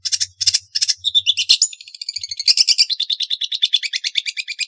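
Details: Long-tailed shrike (Lanius schash) giving a few harsh, broadband chacks, then a hurried run of short, buzzy notes repeated several times a second that carries to the end.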